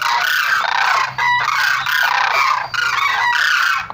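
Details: Sarus crane calling in loud, harsh, trumpeting bursts that are rich in harmonics. Each burst lasts about half a second to a second, and they repeat in quick succession with short gaps between them.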